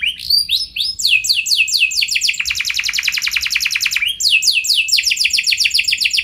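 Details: Canary song meant to set off other canaries' long rolling songs; continuous fast trills shifting between sweeping downslurred notes and a lower, tighter rattling roll.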